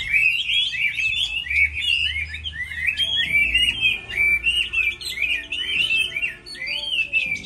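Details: Moulting Chinese hwamei in a singing contest, delivering a continuous, loud stream of fast warbled and whistled phrases with repeated rising-and-falling notes, a faint low hum underneath.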